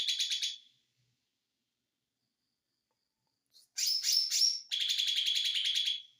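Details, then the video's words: Konslet-style song of an ijo mini white-eye: a short high trill, a long silence, then sharp sweeping squeaks running straight into a rapid, even, buzzing trill. "ijo Mini konslet"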